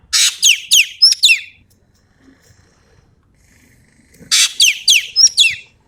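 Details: Common green magpie of Sumatra delivering 'tembakan' song material. Two matching phrases of about six rapid notes each, a rough rasp and then descending whistled slurs, about three seconds apart.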